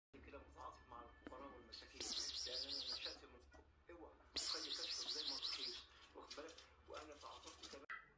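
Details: A pet lutino cockatiel gives two bursts of high, wavering warbled whistles, each lasting about a second, with indoor talking underneath.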